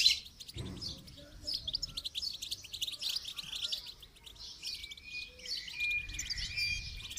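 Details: Goldfinch during song training, with a soft, high twittering chatter and a few steady whistled tones in the second half, plus a low thump near the start.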